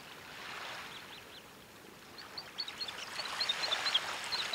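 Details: Sanderling (Calidris alba) at Quiberon, France, in May 2013, giving short, sharp, high 'twick' notes in quick irregular series over steady roaring surf and wind.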